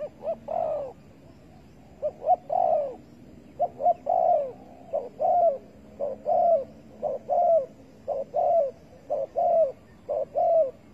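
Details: Bird trapping for spotted dove using bare bait, 15.08.2020: persistent cooing, roughly one phrase per second, clipped introductory notes then a mellow falling coo, sustained for about eleven seconds.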